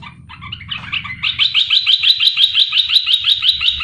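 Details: Olive-winged Bulbul, red-eyed, wild-caught and kept for three months, gives a few bubbly, liquid notes, then a lively chattering phrase of bright notes at about three per second over a faint low hum. It is used as a lure call that other bulbuls answer.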